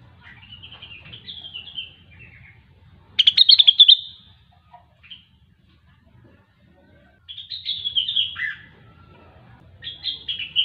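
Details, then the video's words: Grey-cheeked bulbul (rengganis or cucak wilis) in energetic gacor song: descending warbled phrases, a loud rapid trilled burst near the middle, then more falling whistled phrases after a pause, over a faint low hum. "Rengganis/Cucak Wilis Gacor"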